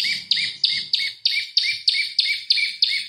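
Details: Olive-backed tailorbird, energetic song used as a lure and master recording for training oriental magpie-robins: a rapid series of sharp, high, slightly downslurred chip notes, about three each second, steady and insistent, with faint low rumble beneath.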